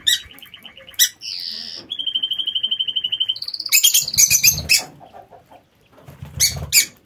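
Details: Lovebirds in an aviary produce rapid pulsed trills, steady rattling chatter at two pitches, and harsh, loud squawks mixed with rustling thumps from movement in the cage.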